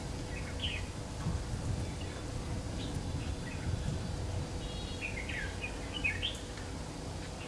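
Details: Red-whiskered bulbul (Má Lỡ type) at a trapping site, 3 September 2019. Scattered short warbled phrases, then a quicker run of slurred, chirpy notes near the end, over constant low outdoor rumble.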